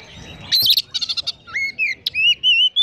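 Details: Oriental magpie-robin singing in the konslet style, filled with Eurasian tree sparrow imitations: a dense burst of chattering notes, then quick buzzy trills and clear, rising, sliding whistles over a faint low hum.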